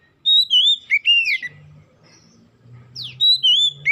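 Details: Oriental magpie-robin song, used as a lure to make other magpie-robins sing: fluid whistled phrases with wavering slurs, a pause with low hum, then a sharp downward zip and more whistles.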